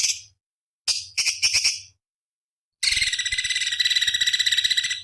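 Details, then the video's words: Cucak cungkok bulbul master recording for training competition birds, billed as a sharp, fiery filler song: bursts of high, dense whistled and chattering notes, first short phrases separated by silences, then a continuous rapid warbling run. "Masteran Cucak Cungkok Istimewa ~ Isian Pedas Tajam Kasaran"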